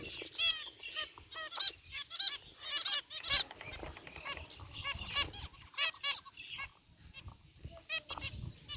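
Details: Zebra finches in an aviary, a mixed flock of gray and white birds, chirping busily: clusters of short, nasal, honking beeps, several per second, rising and falling in bursts, with a brief lull near the end.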